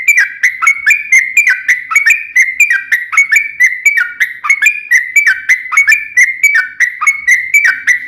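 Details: Long 'ropel' song of a yellow-vented bulbul, used to provoke other bulbuls into singing: a steady stream of short hooked whistled notes, about four per second, sliding down then up, with no other sounds.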